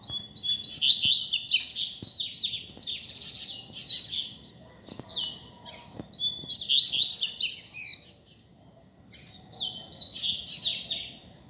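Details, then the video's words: Double-collared seedeater singing while loose in a street: four spaced phrases of quick, varied high chirps, trills and whistled slurs, each about two seconds long, with faint clicks in between. "COLEIRO SOLTO NEM SABE PRA ONDE VAI!!! Dando Show na Rua!!!"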